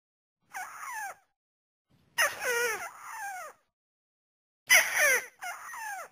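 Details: Lure call of a white-browed crake, meant for trapping with nets and snares: four squealing, nasal notes that wobble and slide downward, some doubled, with pauses of about a second between them.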